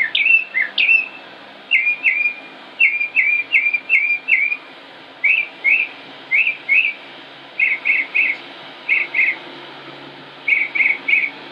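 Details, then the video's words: Northern mockingbird in Concord, North Carolina, United States, recorded 05-25-16, delivering a long varied song of clear whistled slurred notes grouped in pairs and triplets, each pattern repeated before changing. "Northern Mockingbird Just Sings and Sings and Sings"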